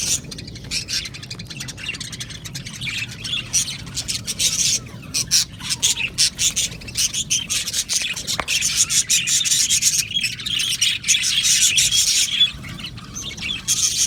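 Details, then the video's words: Australian budgie colony in an aviary, singing and chirping: long, unbroken high chatter of scratchy warbles and clicks from many birds, with a short lull near the end. "Australian Budgies Singing and chirping sounds"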